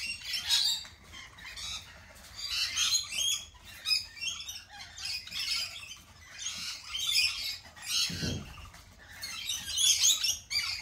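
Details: A noisy group of lorikeets at a cafe keeps up rhythmic waves of scratchy, high-pitched screeches and twitters, with one low thump partway through.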